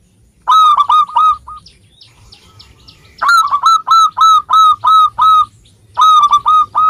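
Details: Strongly singing local zebra dove used as a lure: loud ringing notes repeated in fast, evenly spaced series, with a brief softer stretch between bursts.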